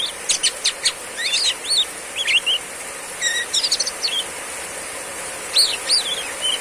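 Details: Female Oriental magpie-robin singing in a lively riwik ngeplong style during heavy rain: quick bursts of sharp, high whistled and slurred notes, some rising, others falling, separated by short pauses over a steady hiss of rain.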